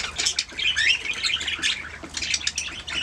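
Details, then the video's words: Pet budgerigars singing, a dense chattering warble of rising and falling chirps and scratchy squawks, several birds overlapping without pause. "Budgies singing making sounds chirping"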